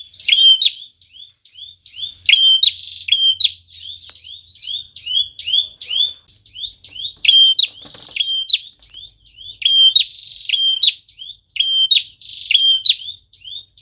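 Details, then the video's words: Bar-winged Prinia singing energetically, a recording meant as a lure for attracting and trapping birds; rapid series of sharp, high, metallic chirps in tight clusters repeating every one to two seconds, with brief pauses between bursts "Prenjak tamu gacor cocok banget buat pikat dan pancingan"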